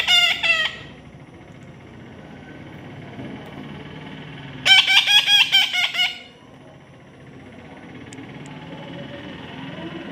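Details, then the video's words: Baby parrot being tamed, giving a short harsh squawk, then after a quiet pause a longer burst of several loud, rasping, harmonic screeches lasting over a second, over low background hum. "natural funny parrot sound"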